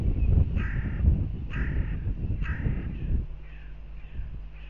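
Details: Hooded crows at a goshawk nest in Riga, Latvia, fighting on 10 April 2021, caught by a nest camera: three hoarse drawn-out caws roughly one second apart amid heavy wind buffeting and rumble.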